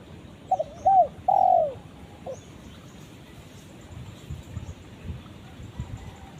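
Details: A spotted dove calls its companion with a single phrase near the start: a short doubled note, a curved coo and a long sinking coo, then only a soft low rumble of ambient noise for several seconds.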